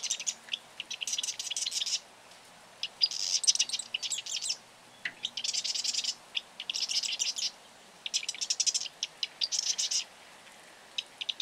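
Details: Marsh wren singing: rapid rattling, buzzy trills of dense high notes in bursts about one to one and a half seconds long, repeated with short pauses, each burst preceded by a few clicking notes.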